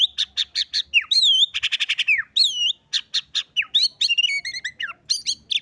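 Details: White-rumped shama, fighter type, singing canary imitations: rapid series of sharp high chips, looping whistled slurs, buzzy rattles and descending whistles.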